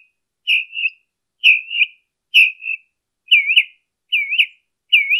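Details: Northern mockingbird recorded in Colton, California, on 23 March 2015, repeating a slurred, wavering whistled phrase six times at about one-second intervals, with no other sounds.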